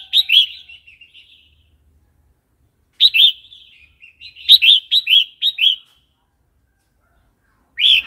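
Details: Red-whiskered bulbul singing wild-style song for training young and wild-caught birds: several bubbly phrases with soft trailing notes, including a quick run of five rolling notes.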